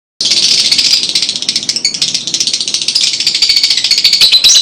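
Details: Lovebird chattering, its chirps used to stimulate young birds to sing: a dense, shrill, continuous stream of high chirps and rasping notes, with rapid ticking pulses throughout and no pause.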